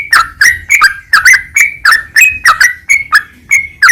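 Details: Yellow-vented bulbul song, used as a training recording for birds: bubbly, slurred mid-pitched notes given in quick, loud repeated phrases about three a second. A faint low hum runs underneath.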